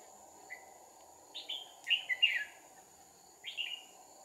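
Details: Fighting song of a decoy red-whiskered bulbul used with a second decoy to trap a wild, high-crested bulbul on 2/4/2019; a soft lead-in note, then lively, clear warbled phrases, a brief pause and a final phrase, over a faint constant hum.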